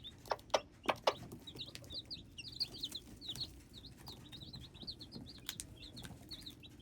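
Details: Loud knocks open the sequence, then hybrid chicks peep busily in high, slurred chirps, with a few more sharp taps later on.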